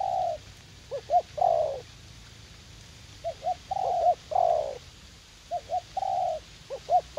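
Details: Eager young decoy spotted dove in a U Minh garden, kept for luring wild doves; mellow three-part cooing, paired short notes before a long throaty coo, several phrases in a loose rhythm over a low rumble.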